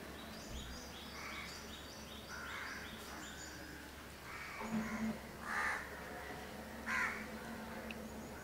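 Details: Pair of house crows grooming at Candolim, Goa, India, December 2010; harsh caws rise toward the end, while another bird repeats rapid high chirping notes early on.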